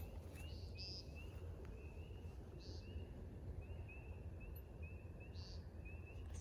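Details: American woodcock at night in a backyard, giving three short buzzy beeps at irregular intervals, while another caller repeats quick rising chirps throughout over a low rumble.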